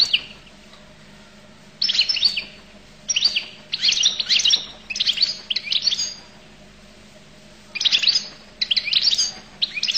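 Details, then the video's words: Goldfinch song: bursts of fast twittering, buzzy and tinkling notes in short phrases separated by pauses, over a quiet low hum. "تغريد حسون القل"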